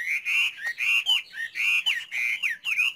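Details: Chinese hwamei delivering loud, clear whistled phrases in quick succession, each a short, bright warble with slurred rises and falls.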